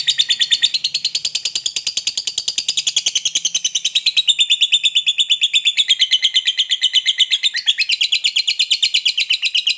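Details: Lovebird, fighter type, delivering an unbroken ngekek panjang chattering song to provoke others into song; nearly ten seconds of rapid buzzy pulses, the pitch stepping down and back up in places.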